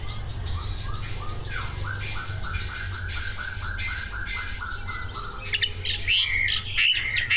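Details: Caged greater green leafbird song with mimicked filler notes, used to spur other leafbirds into singing: a steady run of short clipped notes about twice a second, ending in high buzzy whistled flourishes, with a low background hum.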